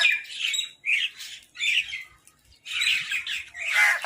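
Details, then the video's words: Harsh, rasping squawks from crows fighting over food, delivered in short bursts that run together, with a quiet pause midway before a fresh loud flurry. "Crow Fight | Crow Eating Food"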